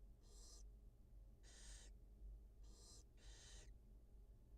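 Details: Barn owl mother feeding two newly hatched young at a wild nest cam: four harsh, breathy hisses, the final pair almost back to back, above soft background hum.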